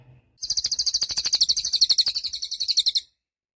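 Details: Cililin (mountain tailorbird) song, suited for tutoring songbirds: a single high, rapid pulsed trill of about thirty even notes, lasting under three seconds, with faint clicks and low rumble beneath.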